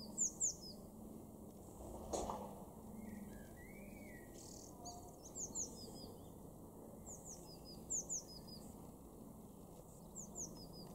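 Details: Eurasian blue tit in a garden in Weener, East Frisia, far northwest Germany, April 2021, giving thin, very high notes in quick clusters of three or four every two to three seconds over a low rumble, with one brief lower whistle.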